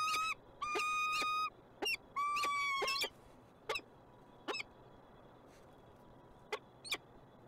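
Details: Peregrine falcon in Montreal, Canada, giving harsh, drawn-out wailing calls rich in overtones, several in quick succession, followed by a few brief sharp notes spaced seconds apart over a steady low city rumble.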